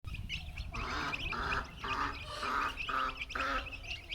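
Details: Chicken chicks making happy noise on finding worms give a run of short, nasal, buzzy notes about twice a second, with thin high cheeps chattering over them.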